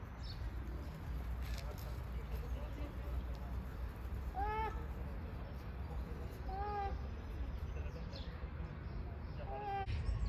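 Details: A peacock gives three short, nasal, cat-like wails, like a meow, a few seconds apart, each rising then falling, over a steady low rumble of wind or traffic.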